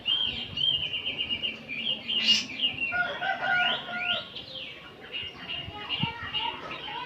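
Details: Oriental magpie-robins singing as a crowd in the afternoon, kacer ombyokan material meant to make a bird spread its tail. Overlapping whistled notes and descending slurs, with a sharp noisy click after two seconds.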